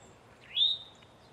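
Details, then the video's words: Male Eastern towhee giving a single alarm or warning call: a short, loud note that sweeps sharply upward, then levels off into a high, thin tail against quiet background hiss. "Eastern towhee call | Alarm / distress / warning sounds"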